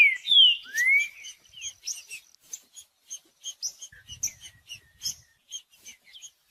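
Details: Green-winged saltator in full song, played to rouse a silent bird into singing. It opens with bright slurred whistles, one falling and one rising, then a long series of quick chirps about four a second, with faint low thumps midway.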